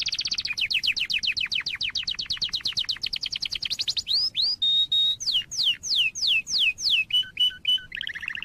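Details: Canary singing a tutor song for young canaries: a rapid rolling trill of repeated descending notes, then a steady whistled tone, slower downward-swept whistles, and short alternating two-note phrases at the end.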